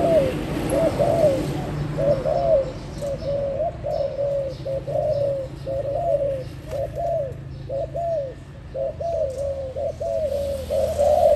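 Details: Spotted dove, described as newly trained and only just daring to sing: a soft, low cooing phrase repeated about once a second in an even series, over steady outdoor background noise.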